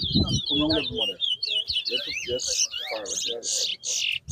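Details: Towa towa whistling at a 2022 contest in Bath Settlement, Guyana: a fast chain of twisting whistles then harsher chirped bursts, with men talking over the start.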